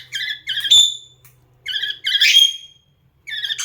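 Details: Pet cockatiel indoors, singing hard to another parrot: bursts of bright, harmonic chirps in short repeated phrases, with one sharper rising whistled note near the middle and brief pauses between phrases; a quiet room hum underneath.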